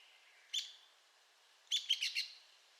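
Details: Arizona woodpecker: a single sharp, high note, then after a pause a quick burst of four clipped, squeaky notes; quiet background.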